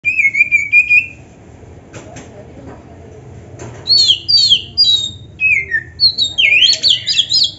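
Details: Oriental magpie-robin, known locally as kacer, a champion bird in full song with mimicked phrases, played to provoke other magpie-robins into answering: a long whistle, a pause, then rapid sliding whistled notes, high and varied.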